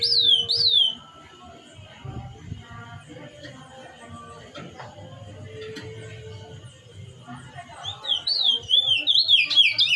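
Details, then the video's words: Chestnut-bellied seed finch (curió), a spirited male singing the "mateiro" song type, used to fire up other birds: clear, rolling whistled phrases at start and end, with a quiet stretch of faint tones and a low hum between. "Curió canto MATEIRO"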